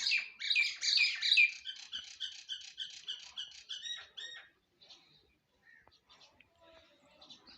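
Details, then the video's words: Morning song of a myna: a loud, rapid chatter of repeated squeaky notes at a steady pace for about four seconds, fading into sparse, soft clicks and chirps. "singing myna indian birds morning birds sounds"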